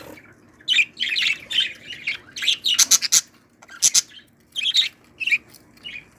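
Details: Budgerigar chicks from a 2018 brood of opaline birds give raspy, high-pitched squawks and chirps in short overlapping bursts, with a faint low hum beneath.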